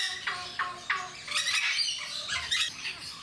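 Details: Jenday parakeets at Mysore Zoo give harsh, raspy squawks, short bursts about every third of a second running into a grating chatter, probably several birds calling together.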